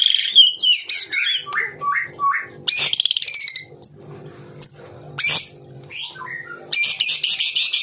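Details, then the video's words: Murai batu (white-rumped shama) delivering close-fire 'tembakan rapat' song: varied whistles and dropping notes, a quick rattling series, isolated high chips and a final harsh buzzy burst. "Tembakan Rapat Burung Murai Batu"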